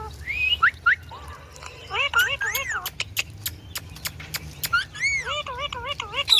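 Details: Talking Indian ringneck parakeet mixes rising whistles, a run of dry rapid clicks and strings of bouncing, speech-like harmonic syllables, ending in a loud high squeak.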